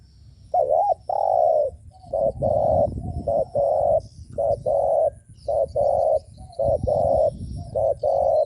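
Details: Spotted dove calls meant to provoke rival doves: a dense run of hollow, mid-pitched coos, short wavering notes alternating with longer steady ones, repeated almost every second over faint low background rumble.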